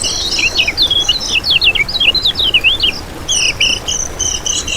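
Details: Kecial kuning song for luring birds: a tumbling series of high, wavering, slurred notes, then a short break and renewed bursts of buzzy chirps.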